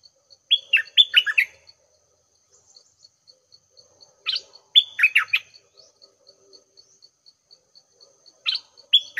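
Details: Red-whiskered bulbul decoy bird singing at 6 am to lure a wild bird, which came straight down to fight. Short bursts of quick, slurred, descending whistled notes come roughly every four seconds, over a steady ticking background.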